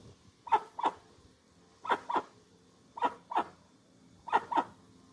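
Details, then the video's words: Dusky-legged guan, recorded without sound effects, calling in regular doublets of brief barking honks spaced about a second apart over quiet hiss. "Som limpo do canto🎵 do Jacuguaçu. Som original da ave, sem interferência de efeitos sonoros."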